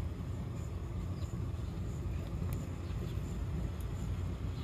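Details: Continuous low engine or aircraft rumble fills the recording outdoors, with only faint ticks and no animal calls.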